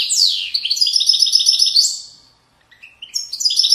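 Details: European goldfinch singing in the Moroccan widani (widaniya) style, from the banks of Moroccan valleys, 2020: a high sweeping downslur then rapid tinkling twittered notes, a brief pause, and renewed bright chattering phrases.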